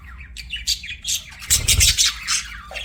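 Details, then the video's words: Budgerigar chirping in loud bursts of harsh squawky warbles and bright high squeaks, with a brief low thump midway. "BUDGIE CHIRPING SOUNDS"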